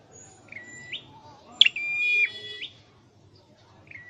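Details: A caged Scarlet-headed flowerpecker in song training gives high, flat whistled notes, each ending in a quick upward flick; the longest is held for about a second. A sharp click sounds once.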